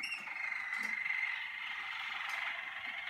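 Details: A Malinois Waterslager canary, an early session in the singing cage (cabina), sings a dense, unbroken rolling trill at a steady mid pitch, bubbling on for over three seconds without a pause.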